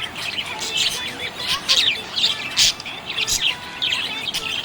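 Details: Cheerful budgerigar chatter of high squeaky twitters and sharp clicks in short bursts, a few lower sliding whistles between them.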